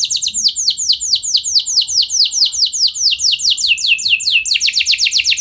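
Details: Canary song meant to prompt other canaries into long rolling singing: fast trills of downward-sweeping high notes repeated about every half second or faster, shifting to a quicker roll near the end.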